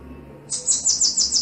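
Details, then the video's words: Bananaquit (sibite), male and female: the start of a very high, thin, buzzy trill of quickly repeated notes breaking in after a short quiet pause. "CANTO DO SIBITE MACHO E FEMEA"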